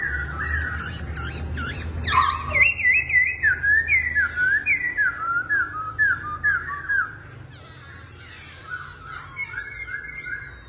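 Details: Laughingthrush said to perform dance-like moves, opening with sharp clicks and harsh notes, then a rhythmic run of about a dozen loud, looping whistled phrases roughly twice a second, fading into quieter wavering whistles.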